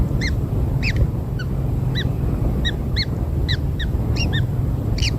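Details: Newly hatched kingfishers being given black insects call with short, sharp, bending squeaks, around a dozen irregularly spaced, over a continuous low drone.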